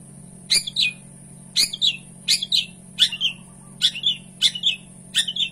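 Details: Long-tailed shrike (cendet), a kept bird, giving spaced double-note high chirps, each a sharp squeaky phrase repeated roughly every second, with a constant low hum underneath.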